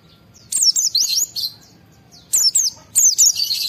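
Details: White-eye singing with high excitement to draw responses from other white-eyes: two bursts of squeaky, warbling high twitters with rapid pitch swoops, separated by a one-second pause.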